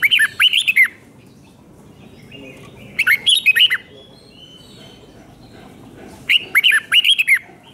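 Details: Red-whiskered bulbul, Thailand, giving a doubled 5-syllable teaching song for young birds. Three evenly spaced phrases of quick, curling whistled notes, each phrase about a second long, with faint warbling in the gaps.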